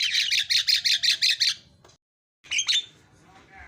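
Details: Javan myna giving a fast run of about eight harsh, buzzy pulses in under two seconds, a silent gap, then a short scratchy burst; song used to get other mynas singing.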